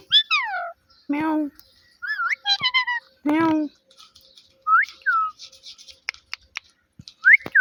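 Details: Pet talking parrot imitating speech and a cat's meow: short harmonic word-like syllables alternate with curved whistled notes and a few sharp clicks, separated by brief silences.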